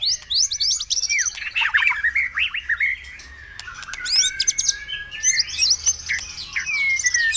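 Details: Morning song of a white-rumped shama, meant to get caged birds singing: busy tumbling phrases of sharp chips and whistles, a short quieter pause, then long clear whistles with high trills over them.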